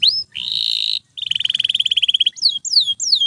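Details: Nonstop canary song meant for training other canaries: a rising whistle, then a steady high buzzy note, a fast rattling trill, and several quick upward-swept whistles.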